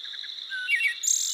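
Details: A Wood Thrush singing in Minnesota gives a brief phrase of a few liquid, fluty notes ending in a high, buzzy trill, over a steady high insect hum.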